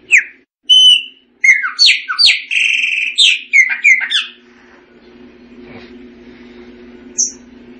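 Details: Chopi blackbird song with clear whistled notes and rich slurred phrases over about four seconds, followed by a quiet stretch of low background hum broken by one short high note.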